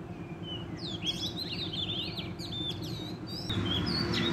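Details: Wild Oriental magpie-robin singing hard during trapping: a dense, fast flurry of high twittering and whistled notes, with a low hum beneath and a louder rustle near the end.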